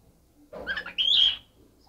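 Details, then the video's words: Cockatiel vocalizing while dancing: a short, rough, throaty burst followed by a bright, sustained whistled note, all within about one second, then quiet. "Talking Dancing cockatiel"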